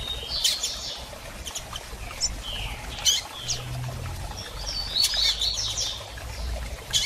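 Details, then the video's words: Female double-collared seedeater soliciting mating, giving brief high chirps and short squeaky slurred notes at uneven intervals, some in quick clusters, over a faint low background hum. "Fêmea de Coleiro Piando e Fogosa e Pedindo Gala!!"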